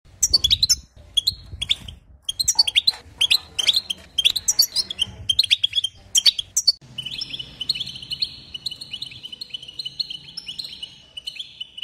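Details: European goldfinch singing to excite other goldfinches: rapid chirping twitters for several seconds, then a long, steady run of buzzy, wavering trilled notes held at one pitch.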